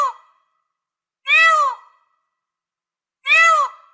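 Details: Peafowl calling: two loud, harsh, wailing calls, each about half a second long and rising then falling in pitch, spaced two seconds apart with silence between.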